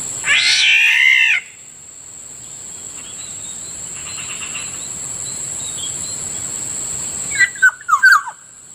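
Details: Black-naped oriole, known locally as Kilyawan or Kikiyaw, calling in the morning near a rice field in Bicol: one loud, harsh, nasal descending note, then a quick fluty whistled phrase, over a steady high insect drone.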